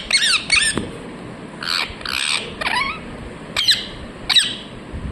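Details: Talking parrot, said to be saying 'mithu mithu'. Harsh squawks alternate with shorter, bright, harmonic, speech-like notes that rise and fall. Bursts come in short groups with brief gaps over quiet indoor background hiss.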